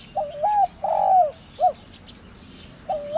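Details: Cu gáy, the spotted dove, giving a 'thổ đồng' calling coo meant to excite decoy birds. A full three-part phrase of soft low coos: wavering, long falling, short final. The next phrase begins near the end.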